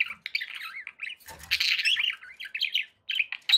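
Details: Budgerigars kept at home chatter in wavering, buzzy warbles and squawky notes, nearly continuous with a few short breaks and faint low knocks.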